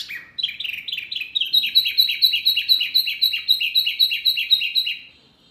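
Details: A very noisy mini wambi bird, said to provoke other birds, rattles off a steady, rapid string of short, high chirps for about four and a half seconds before falling silent.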